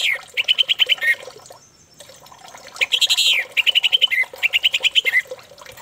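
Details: Lure song of an orange-headed thrush, meant to set another thrush singing: fast rhythmic series of identical sharp whistled notes, about eight per second, broken by brief pauses and a rougher rasping phrase near the middle.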